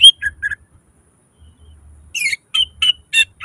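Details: Greater green leafbird in gacor isian song: a few whistled chips, about a second of quiet, then a burst of harsh buzzy notes and clear downslurred whistles.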